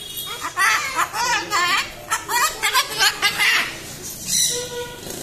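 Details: Pet umbrella cockatoo in Kolathur talking in Tamil: a run of harsh, speech-like syllables with wavering, voice-like tones, then a brief, steady higher whistle near the end.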